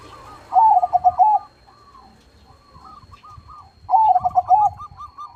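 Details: Zebra dove (perkutut) song, described as loud and in full voice: two bursts of rapid, stuttering coo notes about three seconds apart, with softer cooing from other doves in between.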